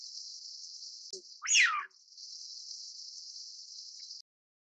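A Eurasian wigeon gives one loud, clear whistle that rises sharply then slides down, heard over a steady high hiss that runs through the whole recording.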